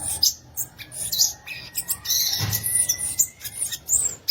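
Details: Violaceous euphonia, also known as guriatã, singing a rapid chattering run of very high, short buzzy notes and clicks, with a thin steady whistle held in the background through most of the phrase.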